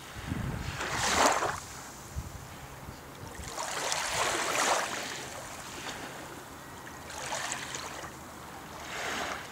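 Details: Waves surge and wash in, swelling and fading roughly every three seconds over a low background hiss.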